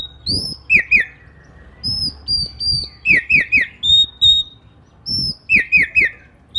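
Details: Singing oriental magpie-robin in the morning, its song said to get other magpie-robins calling; high level whistles mixed with rapid runs of three downslurred notes, repeated in varied phrases, loud and near.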